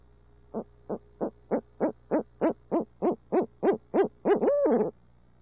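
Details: An urbanized barred owl in midtown Tulsa hoots in a quickening, swelling series of about thirteen notes, ending on an extended wavering, rising-and-falling call.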